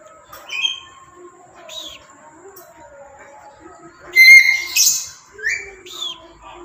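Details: Tame, clever and talkative black-capped lory giving a few soft calls, then a burst of loud, harsh, harmonic squawks around the fourth second and two shorter rasping cries near the end.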